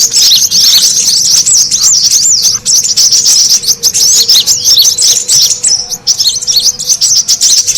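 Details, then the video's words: Brown-throated sunbird, noisy lure call for attracting birds; hurried high-pitched chirping and twittering pour out continuously, with short dips in intensity around six seconds. "SUARA PIKAT KORLAP RIBUT"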